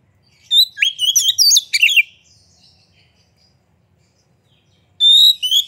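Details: Song of a white-rumped shama meant to stir other birds to sing: a dense two-second burst of swooping, warbled whistles, a pause, then a fresh phrase starting with a long high whistle.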